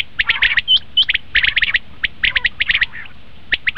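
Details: Common quail calls used as a hunting lure: dense bursts of short, harsh chirping notes, several overlapping and repeated in quick runs with brief pauses, over a low steady background hum.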